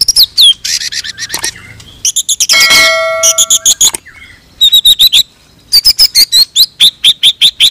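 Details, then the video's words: Pied-variety white-rumped shama singing while bowing, delivering sharp shot-like notes. Loud whistled notes repeated in quick series, a burst of rough chatter, and steady tonal sounds in the middle. "MURAI BLOROK NEMBAK SUJUD"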